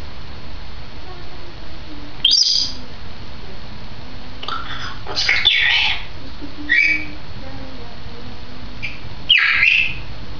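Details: Grey parrot, a two-year-old female pet, recorded 16 May 2010: short bright chirps and whistled squawks come in irregular clusters between quiet gaps, over a soft steady hum.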